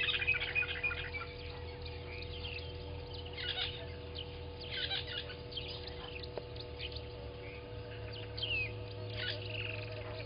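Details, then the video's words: Southern masked weavers newly arrived at Gowrie dam waterhole on Djuma Game Reserve, Sabi Sand Wildtuin, South Africa, in the morning; busy overlapping chirps, buzzy trills and whistles from several birds, with a steady low hum beneath. "Southern Masked Weavers have arrived!"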